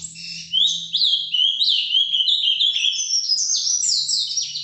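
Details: Ultramarine grosbeak, a breeder's bird in Brazil, delivering its Paraná vinte vinte song live: a continuous run of bright, high, descending and rising whistled slurs with a faint low hum underneath.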